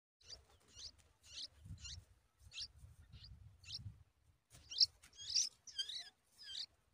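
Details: Yellow-tailed bulbul at the nest while feeding its nestlings a large spider: short high squeaky calls repeated roughly twice a second, ending in a burst of louder, wavering whistled notes, with low rumbling in the background.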